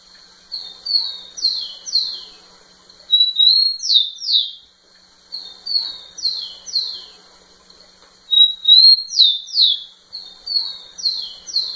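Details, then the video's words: Rufous-collared sparrow male singing repeatedly to a female: bouts of level whistles and sharply falling slurred notes, each phrase roughly two to three seconds, with short pauses between songs. "Tico tico cantando muito na cara da fêmea"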